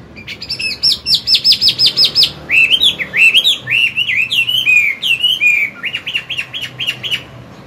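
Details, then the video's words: A mature wild-caught Chinese hwamei sings in the morning to train a young bird: fast high buzzy trilled notes, then varied looping whistles and a closing run of quick repeated notes. "Luyện giọng họa mi hót sáng, kích bổi mau căng lửa."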